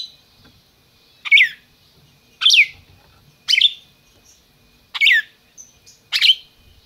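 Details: Captive-bred red-crested cardinal in Brazil, calling: five loud sharp chips with a falling tail, spaced roughly every 1.2 seconds, clean background.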